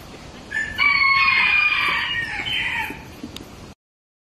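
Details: Rooster at Ueno Zoological Gardens giving a single drawn-out cock-a-doodle-doo, a strained, harmonic-rich crow lasting about three seconds that fades at the end, over a low background hum.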